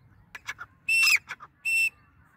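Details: Grey francolin, locally dakhni teetar, calling nonstop: loud, shrill, whistled bursts with a harsh edge, several short notes building to two strong ringing notes, with quiet gaps between them.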